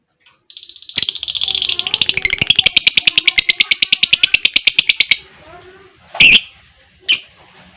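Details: Long ngekek trill of a fighter lovebird with ngetik ticking, used to prompt other lovebirds to sing: a shrill rattle lasting about four seconds, steady and fast, followed by two loud harsh squawks.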